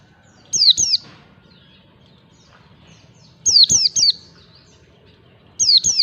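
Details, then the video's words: Lure recording for training white-eyes in the ngalas song style. Short bursts of two to three high, sliding-down whistles are separated by gaps of a few seconds, with crisp onsets and a quiet low background hum. "pancingan pleci belajar ngalas"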